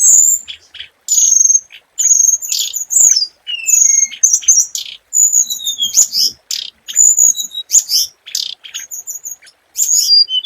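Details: Lure song of a scarlet minivet: a dense run of high, piercing whistled chirps and short slurred notes, tumbling almost without pause and punctuated by a few lower sliding whistles.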